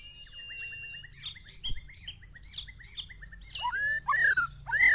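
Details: White-rumped shama, a Medan short-tailed bird matched against a 'balak 6' bird, singing clear whistled notes held near one pitch, then louder, richer slurred phrases sweeping up and down toward the end.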